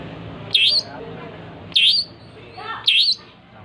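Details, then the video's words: Three loud squeaky, twisting whistled phrases from a cendet, the long-tailed shrike, in 'gacor' style, spaced a little over a second apart against a low background hum. "Suara burung cendet gacor"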